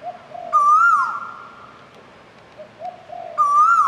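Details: Asian koel giving two loud, clear whistled notes that waver upward then dip, each ringing on with a long echoing tail; softer, lower hollow notes come in between.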